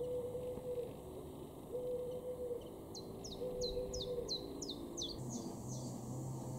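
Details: Common wood pigeon in a garden in Norden, East Frisia, northwest Germany, April 2023: low, hollow cooing notes, three steady phrases about a second apart, while a small bird repeats quick high descending chirps over a rural hum.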